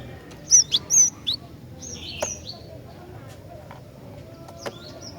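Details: Female cinereous tit calling to stir males: a few sharp, high upswept chirps in quick succession early on, then softer thin notes and a single louder chip, over faint background hiss.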